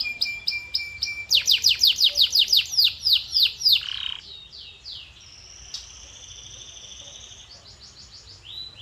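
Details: Canary singing: a thin steady whistle, then a fast rhythmic series of sweeping high chirps, a downward slur, and long sustained high trilled tones ending in quick repeated notes.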